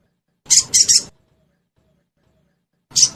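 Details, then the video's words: Sogon lure call for caged birds to answer: three quick high scratchy chirps run together, a two-second silence, then a single sharp chirp. "Suara Pancingan Burung Sogon Bahan Agar Cepat Bunyi"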